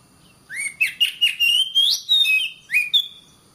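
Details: Oriental magpie-robin song for tutoring caged birds: an upslurred whistle, then a string of sweet sliding notes climbing higher, ending with two rising whistles.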